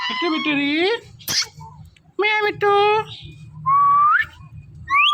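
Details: Talking parrot calling "Mithu", mimicking meows: clear, drawn-out, meow-like syllables alternate with a rising whistle, one short sharp click between them, over a faint low hum.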